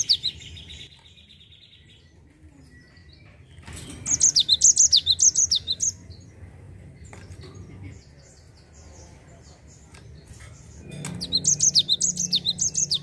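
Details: Java sparrow song meant to set other birds singing, with two separate rapid runs of high, falling whistled notes around two seconds each, between stretches of quieter background noise and faint chirps.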